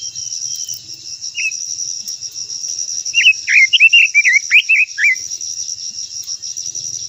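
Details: Japanese white-eye giving a long-voiced song: one short whistled note, then a rapid burst of twittering, warbled notes lasting about two seconds. A constant high insect buzz runs underneath.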